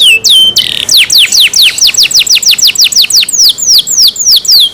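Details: Canary singing loudly: a brief buzz and whistle, then a long run of rapid, regularly repeated high notes, each sliding steeply downward, continuing steadily for about four seconds.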